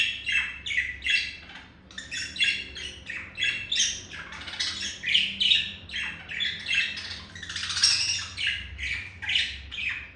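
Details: Pet male budgie singing to seduce a female: rapid chattering warble of short harsh chirps and squeaky notes in pulsing bursts, roughly two per second, unbroken for ten seconds.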